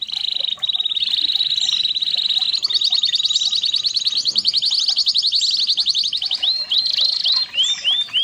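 A red canary delivers a long, high, rapid rolling trill that shifts between buzzy and clear phrases, ending in bright rising-and-falling whistled sweeps.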